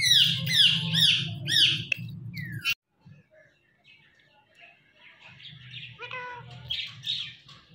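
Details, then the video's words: Pet Indian ringneck parrot talking while watching a phone: harsh, harmonic chattering phrases with sliding notes for almost three seconds, a pause, then softer, scratchier phrases with a few clear rising notes near the end. "Talking Indian Ringneck Parrot"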